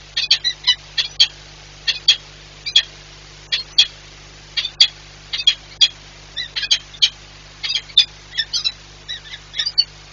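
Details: Peregrine falcon (Falco peregrinus) at the Orlen Płock nest site, 19 March 2022, gives harsh, scratchy high calls in quick, uneven bursts, roughly two a second, over a faint steady electrical hum; call.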